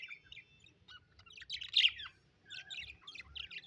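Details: Pet budgerigars, said to be happy, keep up a continuous rapid warbling chatter of short squeaky and buzzy notes over a low background hum.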